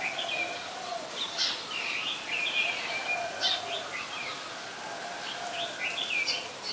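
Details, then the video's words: Red-whiskered bulbul, an adult, recorded in Ubon Ratchathani, Thailand, on 3 January 2021: bright, liquid warbling phrases with quick up-and-down notes, spaced every second or so, over constant low background noise. "นกปรอดหัวโขน (นกกรงหัวจุก, ນົກຫົວຈຸກ , ນົກຂວກ) /Red-whiskered Bulbul (Pycnonotus jocosus)"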